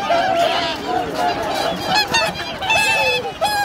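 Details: Winter flock of swans on man-made Lake Hyoko, Niigata, Japan, January 2022, numbering 2,628; clear, flat, horn-like calls stand out over a thick background of overlapping honks from many birds.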